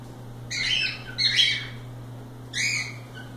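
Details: Cockatiels loose and playing give scratchy, harmonic chirps in three separate bursts, over a steady low hum.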